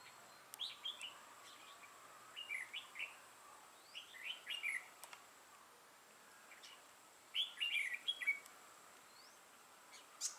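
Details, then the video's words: Red-whiskered bulbul kept as a trapping decoy, dark-bibbed with a 'mào lân' crest, 6 November 2018. Scattered short, rising and falling whistled phrases, then a louder chattering burst near the end, with faint ambient noise. "Bẫy chào mào Mào lân hầu bò yếm đậm"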